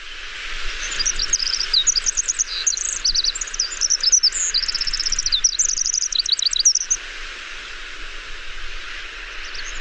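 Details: Pacific wren (Troglodytes pacificus) song, likened to a mechanical machine gun: a frenetic, very high tumbling run of trills and sharp notes lasting about six seconds, staying high without much descent, over a steady background hiss.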